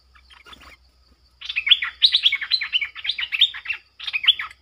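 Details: Streak-eared bulbul used to lure wild birds: soft distant chirps first, then a loud run of rapid slurred chattering notes for over two seconds, a short pause, and a final quick phrase.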